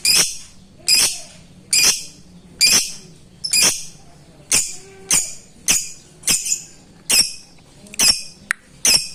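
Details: Ngetik rival-calling lovebird, meant to provoke reluctant singers: a steady series of about a dozen harsh, piercing chirps, roughly one per second, with brief quieter ticks between some calls.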